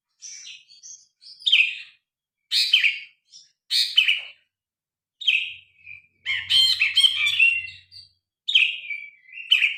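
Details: Phone recording of a grey-cheeked bulbul singing loudly and with variety, used as tutor material: many short slurred and chattering phrases in quick succession, separated by brief silences, ending in sharp bright notes.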